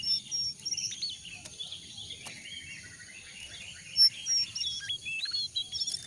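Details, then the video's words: Lure recording of a jongkangan for starting wild-caught birds singing: a long string of quick, high chirped notes, roughly three each second, uneven in spacing, with brief sharper peaks, over a low background hum. "pancingan ampuh untuk burung jongkangan bahan"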